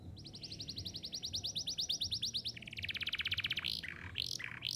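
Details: Active canary singing as a lure for young canaries learning to sing: a steady high pulsed trill, a lower faster rattle, then a few swooping slurred notes over a soft background rumble.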